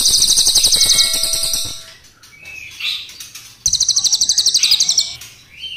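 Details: Crested jay, black and brown forms compared, singing long rolls: a fast buzzy rattle with thin whistled tones beneath, soft swept notes, then a second rapid rattle burst of similar length.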